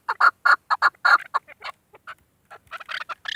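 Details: Female chukar, a hunter's decoy bird, gives a burst of loud throaty chuk notes, then quieter broken clucks and a few rougher, higher squawks.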